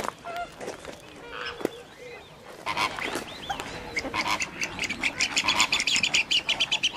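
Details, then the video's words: Radjah shelduck at WWT Slimbridge: after a mixed start of honks and squawks, a fast run of sharp high notes, about two per second, builds and repeats to the end amid other waterfowl calling. "Radjah Shelduck"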